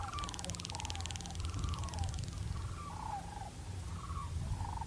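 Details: Unseen migratory sandhill cranes, newly arrived in October to winter around a homestead near Whitewater Draw, give distant rolling, trumpeting calls about once a second over a steady low rumble of wind or handling noise.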